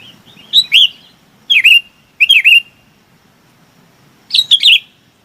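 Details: Flock-gathering call of a Chinese babax: four short bursts of harsh, looping slurred notes, each a pair or trio, spaced irregularly over five seconds.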